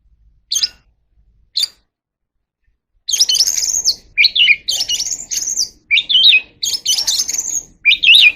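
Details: Oriental magpie-robin in contest singing: two faint isolated notes, then from about three seconds a dense, loud run of looping warbles and chatter with faint background noise.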